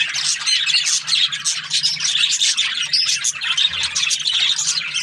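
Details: Chattering budgerigars from breeding pairs in an aviary, a dense high twitter of quick chirps and brief whistles from many birds at once, pulsing slightly in loudness.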